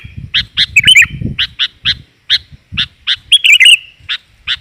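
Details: Sooty-headed bulbul female 'gajor' call, played to attract males: short, bright chirps repeated at an uneven pace with a few longer warbled phrases, over a low rumbling background.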